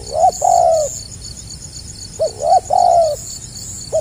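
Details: Spotted dove in stuttering gagap rapat selang nguku style, two cooing phrases, each a clipped stammered start and a sustained gently falling coo, backed by continuous high insect trilling.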